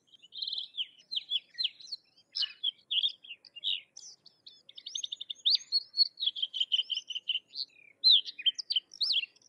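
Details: Sykes's lark delivering a long, continuous run of varied high notes: sharp chirps, short rattling trills and slurred whistles follow each other almost without pause for nine seconds.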